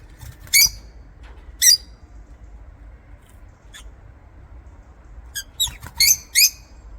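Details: Lovebirds chirping: sharp, high, scratchy chirps come singly at first, a few seconds apart, then bunch into a quick cluster of four or five near the end, over a quiet background.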